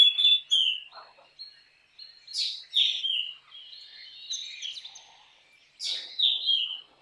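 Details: Black drongo singing: clear whistled high notes mixed with buzzy harsh phrases and sharp downslurred notes, given in spaced bursts with short pauses, in a quiet setting.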